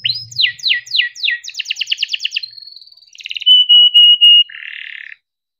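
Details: Home-raised canary singing a long 'cuit cuit ngerol' song used to stimulate lazy or young canaries: sweeping chirps run into a fast trill and a steady whistled note, then a buzzy rolling phrase.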